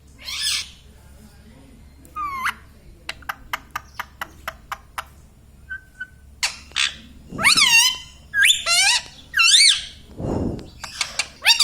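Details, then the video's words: Pet talking Indian ringneck parakeet laughing. A rapid run of dry clicks leads into a string of loud, swooping, raspy vocal bursts repeated about every half second, with a low thump in the background. "Hasne Wala Tota || laughing mitthu || Talking Parrot"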